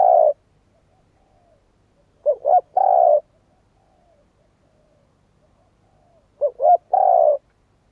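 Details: Repeated spotted dove coo phrases, roughly every four seconds, each made of two quick notes and a long vibrating coo, against near silence.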